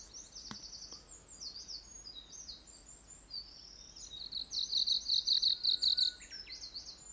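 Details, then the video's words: A Japanese leaf warbler sings in southern Nara Prefecture, Japan, on 4 June 2022: a quick run of high, buzzy repeated notes in a clipped, rhythmic pattern, with fainter high calls from other birds behind. "メボソムシクイの囀り Japanese Leaf Warbler Song"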